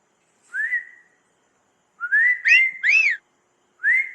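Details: One-month-old cockatiel during recall training in semi-free flight, giving clear, rising whistled notes in short bursts, several in quick succession.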